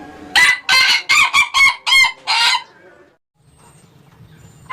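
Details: Laughing-style crow of an Ayam Ketawa chicken: seven loud, broken, harsh bursts in about two seconds, choppy and laugh-like, then near silence with faint low sounds and the start of another note.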